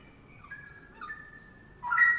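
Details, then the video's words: Straw-headed bulbul, its song described as loud and ringing: soft, level whistled notes stepping down over about two seconds, then a sudden louder burst of bright, tumbling whistles at the end. "Burung cucak rowo"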